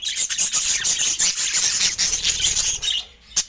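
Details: Budgerigars feeding in natural light make very high, scratchy squawks. A thin whistled tone sustains across most of the stretch, then stops abruptly before one final sharp note.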